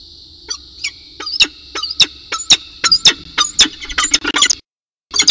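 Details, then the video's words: Peregrine falcon at CSU in Orange with a cicada as prey, recorded on 4 December 2018 at 8:25 am: harsh, clipped chips and chattering notes, irregular and quickening into a dense burst, then a brief silence. "Orange Peregrine Falcon Hiawatha With Cicada And Morning Chat"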